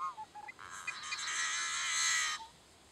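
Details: A male yellow-headed blackbird beside the road at Cheyenne Bottoms Wildlife Area near Great Bend, Kansas: a few short clicking, tonal notes, then a harsh grating buzz of nearly two seconds, like a rusty hinge.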